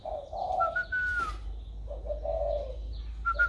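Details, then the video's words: Spotted dove in a newly warm voice, 16 February 2020: mellow low coo phrases with a long thin whistled tone drifting above and soft background chirps. "Cu gáy mới nổi giọng ẤM"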